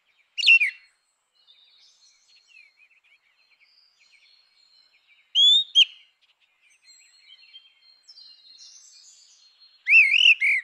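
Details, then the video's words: Grey-winged blackbird song in natural habitat: brief loud whistled phrases about every five seconds, with faint distant twittering and soft background bird calls in between. "Canção do melro com asas cinzentas! Som de melro com asas cinzentas!"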